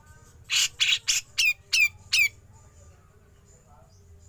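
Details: Grey-cheeked bulbul, besetan followed by ngepik, used as a training recording for songbirds: three loud, harsh, rasping bursts in quick succession, then three sharp descending 'pik' notes, with faint low hum beneath.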